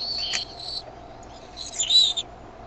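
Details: Eaglets of the Decorah bald eagles calling on 13 May 2015 as the mother brings food; two bursts of shrill, high whistled chitters, each lasting under a second, with a quieter gap between them.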